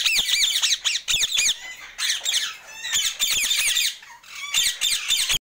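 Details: A pet yellow-and-green Alexandrine parakeet gives harsh, grating squawks in rapid, overlapping bursts with barely a pause, loud and high-pitched throughout.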